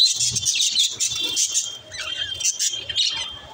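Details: Budgies chattering, a busy high warbling of squeaky chirps and scratchy notes from several birds at once, with a faint low murmur underneath.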